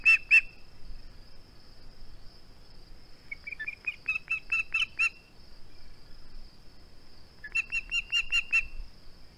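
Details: Nest camera, 21 August 2020: a male osprey keeping his flounder utters a short high cry, then two bursts of rapid shrill chirps several seconds apart, with a faint continuous high-pitched drone underneath.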